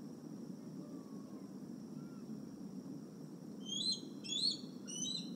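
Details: Evening fishing lessons for the Decorah eagles, July 30, 2020, with the parents bringing a fish back to the nest: a quiet stretch of low hum, then a burst of three loud, high, slurred chirping notes close together near the end.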